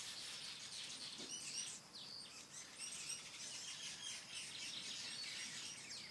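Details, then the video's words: At a weaver colony in Ashburton, KwaZulu Natal, South Africa, birds build nests busily on a late summer evening at dusk; a constant wash of high sizzling chatter and squeaky notes, with a faint low rustle early on. "Weaver birds at dusk"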